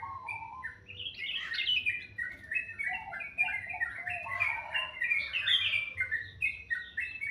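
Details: Bird singing in the morning, very melodious: a lively flowing warble of quick chirps rising and falling in pitch, growing busier toward the end, with a soft low hum behind.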